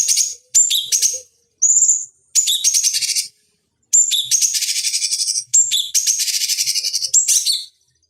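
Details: Master recording of cucak cungkok (bulbul) song for training fighting birds: high clear whistles mixed with long rapid buzzy trills, repeated in bursts over eight seconds, with brief gaps.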